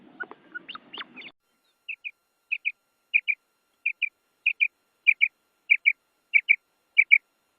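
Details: Female common quail calling in woodland, a sound used to lure males. A few mixed chirps open, then soft paired notes repeat steadily about every 0.6 seconds, eleven pairs in a row against a silent background.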